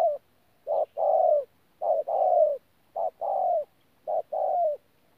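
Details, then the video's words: Wild-caught spotted dove at Tu Mơ Rông, 14 January 2019, cooing in the 'pha gù' manner: four clear pairs of a brief low note followed by a drawn-out, gently descending coo, roughly one pair per second. "BỔI THỔ PHA GÙ QUÁ TỐT"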